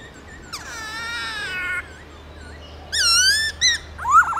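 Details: White-browed laughingthrush in forest-voice song, used for training caged birds: a long nasal harmonic note, a pause with a faint soft whistle, then loud slurred whistles and a final rising squeaky phrase over a low steady hum.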